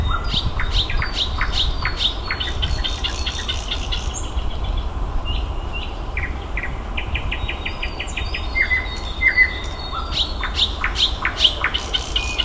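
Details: Nightingale singing in May outdoors, a varied run of sharp clicks, high whistles and rapid trilled series with pauses between bursts, over constant low rumbling background noise.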